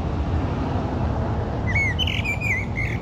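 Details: Common blackbird delivering a fluted song phrase: several smooth, slurred whistles in the middle range, with faint high twitters above, over steady low background noise.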